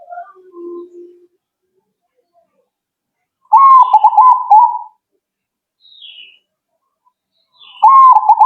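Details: Zebra dove answering at once: two bubbling, rapidly pulsed coo phrases several seconds apart, with a faint higher chirp from another bird between them.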